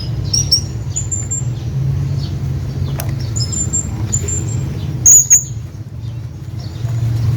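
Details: Hanging parrot calling a companion with high, thin, whistled squeaks in small groups early on and around four seconds, then a loud sharp double squeak near five seconds, over a steady low rumble.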